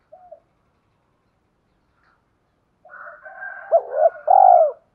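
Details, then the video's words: Spotted dove calling to stimulate wild-caught doves and train decoy birds: one faint short note, silence, then soft purring leading into a hooked double note and a strong, sustained arched coo. "Tiếng chim cu gáy kích bổi mới nhanh nổi, giúp bổi rất xiêng gáy và luyện chim mồi căng lửa"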